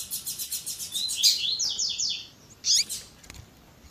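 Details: Double-collared seedeater (coleiro), 'tui tui zel zel' song style, with female chirps, edited to stir up other seedeaters: a rapid run of high buzzy notes, then descending slurred doubled whistles and one sharp loud chirp near the end.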